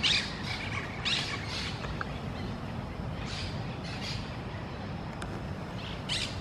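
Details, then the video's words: Eurasian jay, described as happy and fighting, giving harsh raspy screeches in irregular bursts about once a second, some close and loud, others fainter, over a steady rushing background noise. "Arrendajo feliz y peleando /Happy and Fighting Jay"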